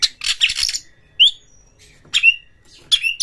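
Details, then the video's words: Oriental magpie-robin (kacer) lure song meant to rouse other birds' emotion and make them open their tails: harsh buzzy bursts alternating with short rising whistles, three sharp whistled notes separated by pauses. "Pancingan Kacer ini dapat Mendongkrak EMOSI PANCINGAN KACER TOP BUKA EKOR"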